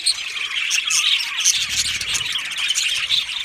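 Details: Budgerigars chattering together in an aviary colony, busy high chirps and tweets overlapping, with some short sharp whistled notes standing out and a brief low rumble midway.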